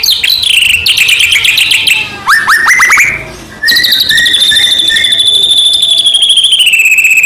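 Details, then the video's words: White-rumped shama, a lively bird used to provoke other shamas into singing, pours out a loud varied song: fast rising trills, a long high whistle holding steady then gently falling, dense repeated phrases throughout. "murai batu gacor AMPUH buat PANCINGAN murai batu agar bunyi"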